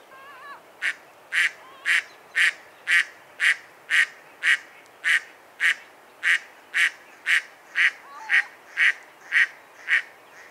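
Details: Mallard, the dabbling duck Anas platyrhynchos, uttering a long, very regular series of loud, harsh quacks about twice each second, with faint softer calls underneath early and late.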